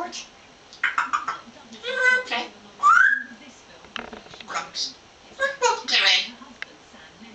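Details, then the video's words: Captive African grey parrot chatting with its owner in 2009, mixing mimicked speech-like syllables with a bright rising whistle, a run of quick talking bursts and a few harsher broadband chatters toward the end. "Talking Parrot African Grey"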